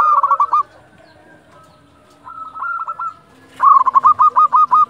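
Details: Zebra dove at dusk, local bird used as a lure; a short burst of trilled coos, a softer faint phrase, then a loud, long run of about ten quick stuttering notes.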